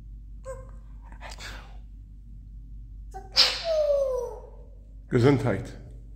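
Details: Male four-year-old pet African grey parrot indoors imitating a human sneeze: a few faint short sounds, then a loud noisy burst with a falling whistled tail, and a second harsh sneeze-like burst near the end, over a low electrical hum.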